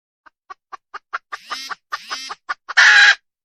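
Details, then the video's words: Wild red junglefowl hen clucking faster and louder in a rising series, breaking into two longer drawn notes with a sliding undertone, then ending on a loud, harsh, sustained squawk. "Suab poj qaib qus tsauj dib tuaj zoo heev"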